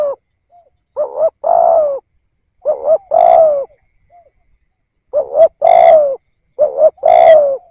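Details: Spotted dove decoy bird luring wild doves, repeating a two-part cooing phrase four times: a quick doubled note then a long mellow coo, spaced about two seconds apart.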